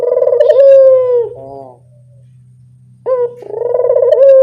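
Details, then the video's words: Spotted dove lure sound: one long throbbing coo with a falling end note, a pause filled by a low hum, then a second coo beginning with a short sharp note. "Suara pancingan burung puter yang anggun"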